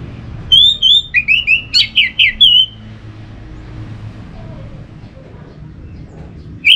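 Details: Orange-headed thrush song used in northern Bali to provoke caged birds into singing in the morning: a quick run of bright slurred whistles and sharp notes lasting two seconds, then a quiet stretch with faint hum and another note at the end.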